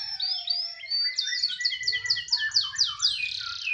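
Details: A captive canary, kept as a tutor bird for other songbirds, sings loudly and fast: high whistled phrases, then a rapid run of repeated sliding notes, about two per second, over a low background hum.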